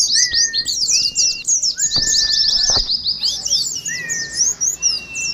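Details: Oriental white-eyes chattering in ngeriwik style, for practice as in a bird-singing contest: quick bright twittering phrases, several held whistles at a lower pitch, and a couple of short clicks or knocks.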